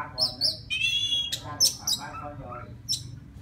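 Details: Oriental magpie-robin from the forest singing for a mate: a held whistled note, then sharp high chips and rasping syllables in an uneven, rapid sequence.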